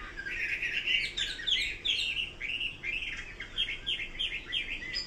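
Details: Chinese hwamei in song: rapid varied whistles and slurred phrases, some upward sweeps and descending notes, repeated roughly once a second, over light steady background noise.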